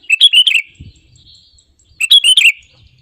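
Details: Sooty-headed bulbul singing as a lure to prompt other birds to sing: two quick chirpy phrases of several bright notes each, separated by over a second of quiet with a soft low thump.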